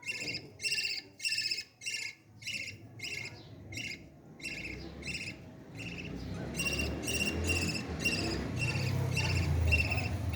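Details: Baby parrot during feeding, giving a steady series of buzzy, nasal begging bursts about twice a second, pausing, then resuming as a louder low rumbling noise builds beneath.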